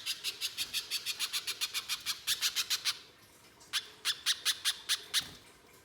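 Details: Spiderhunter known locally as pijantung pisang, singing steadily with harsh shooting notes, used as a lure to start other spiderhunters singing: rapid sharp chips, about three per second, in two bursts split by a short pause.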